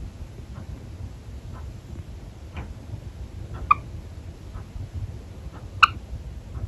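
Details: A Java sparrow that seems angry but is actually playing gives short, clipped chip notes about once a second, two of them sharper and louder, over a low indoor hum.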